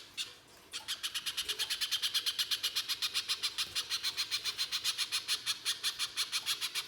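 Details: [3, 'Rapid harsh song of a little spiderhunter, used to coax spiderhunters into singing: after a brief quiet start, a continuous string of piercing high chips, roughly five per second, steady to the end.']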